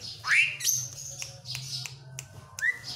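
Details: Asian pied starling giving harsh squawky notes mixed with a bright rising whistle, sharp clicks and a final upward slur, with a low steady hum behind.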